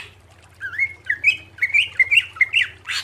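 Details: Greater green leafbird song for cage-bird training: a lively run of short warbled whistles at mid pitch, ending in a harsh noisy note, soft hum behind.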